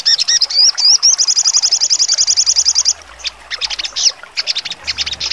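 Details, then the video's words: A songbird, sold as a master recording for training Indonesian competition birds, sings high and sharp: swooping whistles, then a fast, even trill of about ten notes a second, then broken bursts of shrill chattering. "sogon trotol full nembak tajam"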